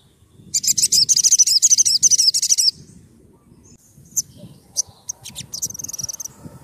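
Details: Sunbird known as sogon, a lure and therapy song for other birds: a two-second run of piercing, very high rapid trilled chatter, followed by scattered sharp chips and a thin wavering whistle over soft background murmur.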